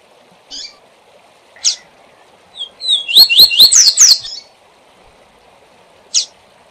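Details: Rusty-collared seedeater singing the SIL SIL ZEL ZEL song type, used as a tutor song for teaching young birds: sharp high notes spaced apart, then a quick burst of rising slurred whistles mixed with clicks, then another lone high note.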